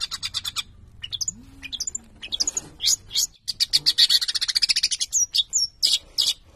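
A long-tailed shrike sings a fast, scratchy medley of high chattering notes and sharp chirps, delivered in quick bursts and rapid runs with brief pauses.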